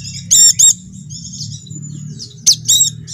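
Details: Javan dakun-type white-eye song used as a lure so silent caged birds start singing: two short bursts of very high, ringing, rapidly repeated notes, then softer thin warbling and another pair of high bursts, over faint low hum.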